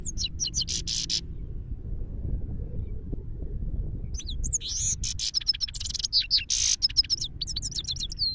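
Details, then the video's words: Himalayan goldfinch singing in Parachinar: bursts of high twittering notes and quick rising and falling whistles, a pause of about three seconds, then a denser run of buzzy trills and chirps, over low background rumble. "goldfinch singing in parachinar himalyan gold finch"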